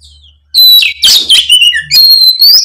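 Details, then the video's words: Oriental magpie-robin, fighting mode, full repertoire as a singing lure: a short, dense flurry of loud chattering notes ending in a long, clear whistle that rises at the end. "kacer ON tarung bongkar isian pancingan kacer malas bunyi seketika gacor"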